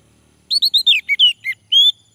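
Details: Singing male orange-headed thrush, played as a lure to get males singing: a quick series of eight clear, looping whistled notes, with descending slurs in the middle and a long, level, rising whistle to finish.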